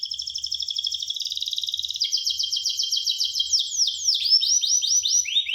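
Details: Gloster canary song opening with a steady, fast-pulsed trill on two pitches, then switching to louder, repeated downward-slurred whistles, each quickly following the last.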